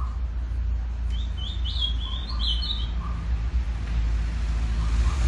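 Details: A mutation ultramarine grosbeak sings one quick, warbled phrase of rising and falling whistles lasting about two seconds, over a steady low rumble of background noise.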